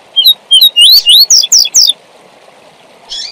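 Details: Double-collared seedeater song of the tui tui zel zel style, used for training young birds: a quick run of sharp whistled notes rising and falling between high pitches, about seven phrases in under two seconds, then a pause and a brief final note.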